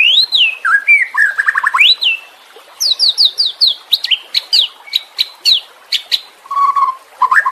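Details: Caged-bird training audio of White-rumped shama song, meant for birds gone quiet: swooping whistles and rapid chattering notes, then a run of sharp descending high notes and a few low fluty whistles.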